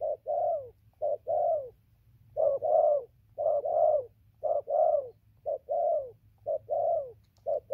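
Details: Cooing spotted dove kept as a decoy, giving mellow low doublets, a clipped first note and a longer sagging second, in an even rhythm near one per second; a faint steady hum underneath.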